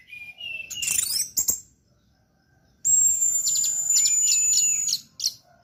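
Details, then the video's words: Orange-headed thrush singing 'teler' style for tutoring birds: rising whistles and chatter, a pause, then a long high sustained trill with rapid rhythmic pulses lasting about two seconds. "anis merah teler"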